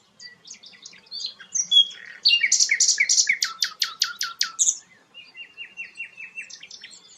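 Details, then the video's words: Sikatan londo, called a rare bird, with scattered soft twitters building into a loud, rhythmic series of harsh, evenly spaced notes, then a quieter run of repeated chips. "burung langka sikatan londo"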